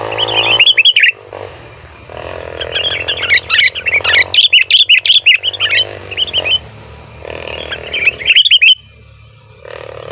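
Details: Sooty-headed bulbul giving a noisy call used to lure wild bulbuls in the forest: bursts of quick, bubbly, chattering notes in fast runs, broken by short pauses, over a low steady background hum.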